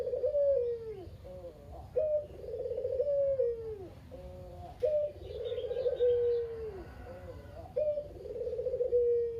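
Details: Repeated kugeru cooing from a single talkative Barbary dove kept as a lure for other doves. Four phrases, about one every two to three seconds. Each is a crisp note, a bubbling roll and a long, mellow, falling coo.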